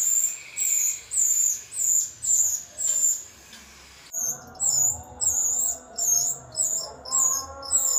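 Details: Rio-rio singing, used as training material for songbirds and as a lure: a fast series of piercing high whistles, roughly two per second, pausing briefly midway before resuming over a faint lower tonal hum.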